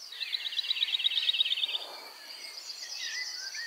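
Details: A male Woodlark sings in the Czech Republic, in the warm, sparsely vegetated areas where it breeds: a fast, liquid trill of repeated notes sliding gently downward for nearly two seconds, then softer, higher fragments and a falling whistle.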